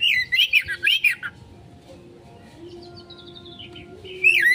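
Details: Oriental magpie-robin (kacer) in konslet style, used as a lure song to draw a quick response: a burst of bright, warbling whistled phrases, a quiet pause over a faint low hum, then the warbling resumes.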